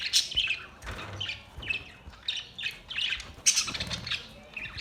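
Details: Budgies give sharp squawky chirps in short bursts about every second, separated by brief gaps.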